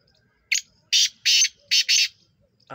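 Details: A black francolin, 23 September 2023, calls once with a coarse, buzzy phrase. It starts with one short note, then two pairs of longer rasping syllables in rapid rhythm. Another sound begins abruptly at the very end.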